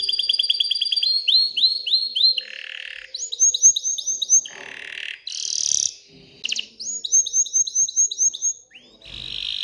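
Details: An excited canary's song aimed at stimulating females to mate and build a nest, alternating series of rapid swept chirps with short buzzy bursts and repeated rolling phrases, varied and loud throughout.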